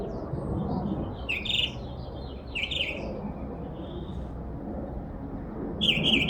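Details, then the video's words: Backyard bird, described as producing over 20 different sounds, utters three short bright chirps separated by pauses of one to three seconds, with a faint thin note between them and low ambient noise throughout. "A bird twitterings more than 20 different sounds in my backyard."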